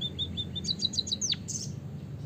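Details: Short burst from a white-headed munia, meant as a lure to get birds singing: several soft, high peeps, then a quick cluster of brighter chirps ending in one long downward-sliding note.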